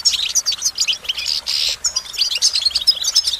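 A goldfinch sings a fast, unbroken stream of high, tinkling twitters with a few buzzy notes, lively and jumbled throughout.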